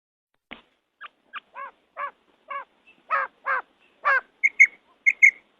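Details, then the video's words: Female quail gives about a dozen short, nasal notes at a quick, uneven pace, ending in a few sharper, higher chirps; used as a quail call for hunting or training. "فیمیل بٹیر کی آواز / Female Quail Sound / Urg'Ochi Bedana Ovozi"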